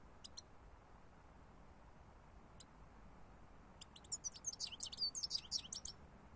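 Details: European goldfinch giving a few isolated high clicky chirps, then a dense burst of rapid twittering, tinkling song notes near the end, with a low steady hiss throughout.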